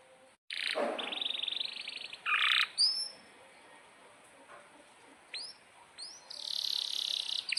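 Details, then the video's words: Domestic canary in energetic, long-rolling song, offered as a tutor for young canaries learning to sing: bursts of buzzy rolled trills alternate with sharp upward-flicking chips and high thin notes, broken by quieter pauses. "Kenari GACOR PANJANG INI Cocok untuk Masteran KENARI PAUD dan Kenari Macet BUNYI"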